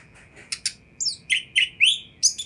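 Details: Oriental magpie-robin singing, used to provoke a response from other magpie-robins; a few sharp high chirps followed by short, slurred whistled notes rising and falling, with a steady faint hum underneath.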